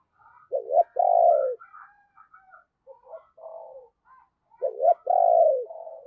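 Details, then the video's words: A decoy spotted dove with a deep 'thunder' bầu-style voice calls to lure wild birds, giving a loud two-part coo, a stretch of softer broken notes, then the same strong coo again. "Tiếng Chim Cu Gáy Giọng Sấm Bầu Gáy Hay"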